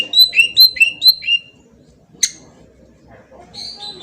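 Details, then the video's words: Lure song of a green leafbird from Kalimantan, meant to draw a reply: five or six quick paired whistles sliding down, a single sharp chip, then a faint high warble. "pancingan cucak ijo auto nyaut bunyi langsung"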